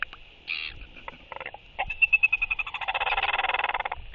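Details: Royal albatross pair courtship on 11.6.23, one bird welcoming its incoming mate with skycalls: scattered clicks give way to a fast, steady train of pulses growing louder for two seconds over a constant high hum.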